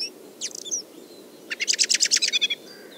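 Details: Common blackbird in Moscow in early spring giving quiet muttered subsong of soft, high warbled notes, then a louder rapid rattle of about ten sharp chinking alarm notes over one second.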